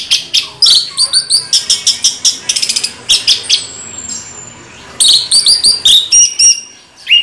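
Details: Orange-headed thrush in rolling song, a long, fast run of sharp chirps and trills, with a thin high whistle in the middle and more clipped, varied phrases after a short gap.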